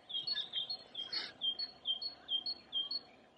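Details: Great tit in a cemetery near Perlacher Forst, Munich, Germany, April 2020, delivering a steady series of about nine clear two-note whistled phrases, high then lower, evenly spaced, with low background hum.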